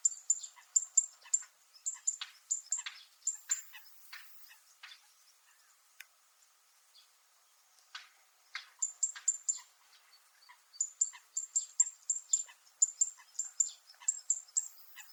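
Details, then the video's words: Zitting cisticola (fan-tailed warbler) on Miyako Island, Japan, giving its metallic call: quick runs of sharp, high, metallic ticking notes in bursts, with short pauses between runs. "セッカの金属的な鳴き声 Fan-tailed Warble makes a metallic sound"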